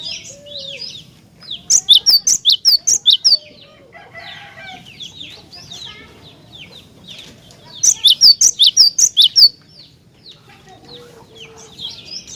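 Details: Cinereous tit in full, energetic song, used to provoke other tits into singing: two bursts of about nine loud, high, sharp repeated notes, with softer chirps and whistles between them and a low background hum.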